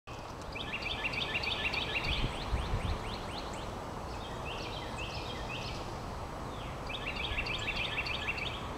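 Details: Several backyard birds singing on 1 March 2012 in Decatur, Georgia: bursts of rapid high chirps and short trills that come and go, with thin upslurred notes between, over a steady low roar of background noise.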